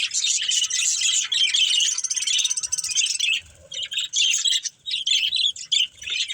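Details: Budgerigar pair from a breeding family with rapid, rasping, twittering chatter that flows almost without break, then splits into choppier bursts with short gaps toward the end.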